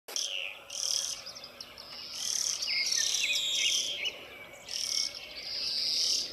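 European greenfinch giving high, buzzy twittering phrases in bursts of one to two seconds, with a few sliding notes in the middle; no other clear sounds.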